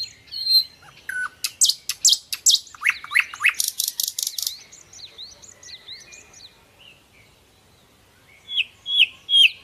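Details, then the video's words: Nightingale giving a rich, varied song of high whistles, sharp chips and fast buzzy trills, briefly quiet, then ending with loud, clear whistled phrases. "Sikatan Londo ( Nightingale )"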